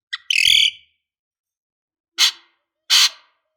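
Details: {'text': 'Lovebird sounds meant to provoke rival lovebirds: an opening harsh buzzy chatter with a low thump beneath, then after a pause two separate loud raspy squawks.'}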